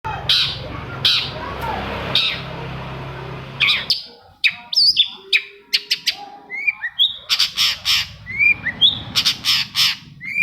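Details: Long-tailed shrike song used as a lure to prompt quiet shrikes to sing: harsh broadband rasps at first, then a lively run of sharp clicks, short whistled slurs and high chirps.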